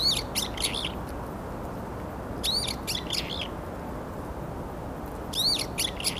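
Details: Several varied tits competing with each other, late January 2021; three bursts of high, quick twittering chirps spaced roughly 2.5 seconds apart above constant low rumbling background noise.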